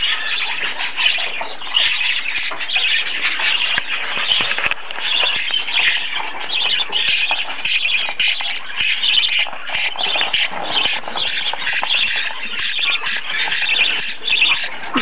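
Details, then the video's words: Baby parakeets beg for food with a steady, raspy chatter of rapid buzzy begging notes, with scattered clicks and shuffling, as the parents are coaxed to come and feed them. "Parakeet babies begging for food"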